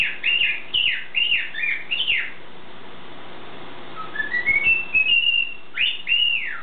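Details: Caged pet bird's morning song: a quick run of arched, down-slurred whistles, a pause, a climbing ladder of short whistled notes ending in a held tone, then two more loud swooping whistles over a faint hum.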